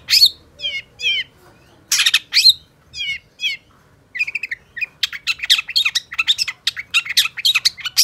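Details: Long-tailed shrike (pentet) in a varied gacor song: trilled warbling phrases and loud harsh squawks alternate, then build into a dense, fast chatter of sharp chirps.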